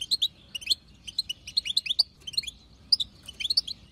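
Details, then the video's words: Wild female European goldfinch giving btbta chatter meant to set a male singing: spaced pairs and clusters of bright, high chirping notes with brief gaps between them. "بتبتة حسون خلوي تهبل الحسون تخلي يغرد غصب عنو"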